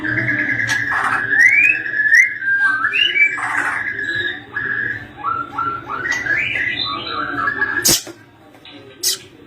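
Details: Caged White-rumped shama in full song: varied loud whistled phrases, some sliding upward, others flat and sustained, with brief clicks and a sharp snap near the end over a low steady hum.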